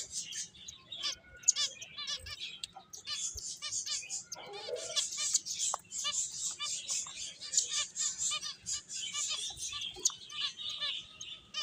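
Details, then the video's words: Several playing finches keep up steady high-pitched chirping and tweeting, many quick notes overlapping, with a brief lower squeak in the middle. "Cute Birds Chirping Sounds | Beautiful Finches Playing"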